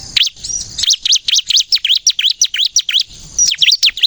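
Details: Bar-winged prinia in loud, nonstop 'gacor nembak' song, used as a lure to get untrained prinias to sing: a fast string of sharp, high chirps, each bending up and down, with a short pause near the end.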